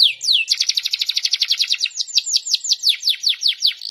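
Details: Canary delivering a fast, rolling high trill of steep downslurred notes, about six a second, after an opening swoop; its singing is praised as 'gacor' with 'goyang' and 'cengkok'.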